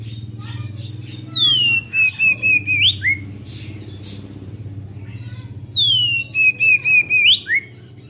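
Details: Oriental magpie-robin kept as a cage bird, in full ngeplong song used to stir young birds: the same long descending whistle with a wavering middle and an upswept end, given twice about four seconds apart over a constant low droning background.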